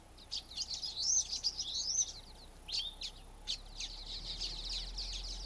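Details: Common waxbills in a flock produce a continuous high, scratchy twittering with wavering, rising and falling notes, briefly broken by sharp chirps, against a light steady hiss.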